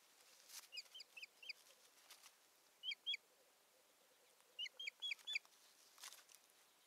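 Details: At a Satakunta, Finland nest on 7 May 2019, an Osprey calls while a stick is brought in and the bird potters about; clear piping whistles in three bursts of two to four notes, separated by quiet pauses.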